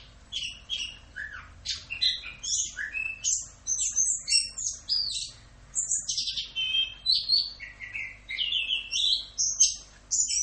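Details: Continuous, fast Orange-headed thrush tutor song in the full 'Rock'n Roll' style, used for training caged songbirds: dense, high chattering phrases mixing sharp whistles, trills and slurred downward notes with barely a pause for ten seconds.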